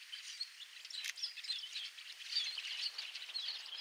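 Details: A large murmuration flock of red-winged blackbirds on the Napa wetlands, California, chattering together: a dense wash of overlapping high chips, squeaks and short whistles with a faint hiss of open air behind.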